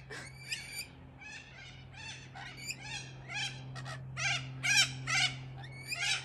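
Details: Wild rainbow lorikeets screech in harsh, rasping bursts, about two a second, with several birds overlapping over a steady low mechanical hum. They are going wild over swooping cockatoos and keep watching above.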